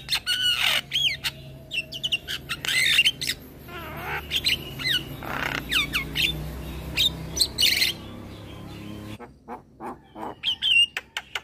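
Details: Long varied song from a caged young male black-winged starling bobbing its head, recorded as a training master: dense run of whistles, rasps and clicks, a loud noisy burst, then a pause and renewed chatter.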